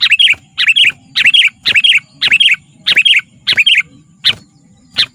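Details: Steady sequence of about eight bright, bubbly whistled phrases from a sooty-headed bulbul, one roughly every half second. Lively gacor singing intended to draw wild bulbuls and tutor caged ones.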